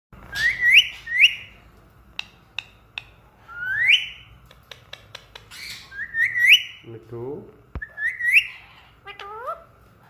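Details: Pet talking parrot imitating a cat's meow: rising, whistled chirps repeated in short bursts, with sharp clicks, a lower mewing phrase near the middle, and faint music.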